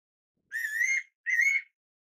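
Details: Two-note whistle of a fairy pitta: a long, gently rising first note, then a shorter upslurred second note, in a quiet setting.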